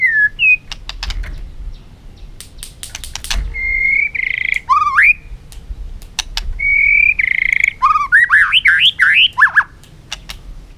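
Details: White-rumped shama, a caged bird stimulated into competitive song: steady whistles and buzzy slurs among sharp clicks, ending with a quick string of bouncing whistled notes.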